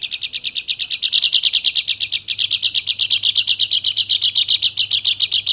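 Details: Bali dakun white-eye singing as a lure to stir quiet birds into song: a continuous high, sharp chatter of quick notes repeated about four per second, steady and intense throughout.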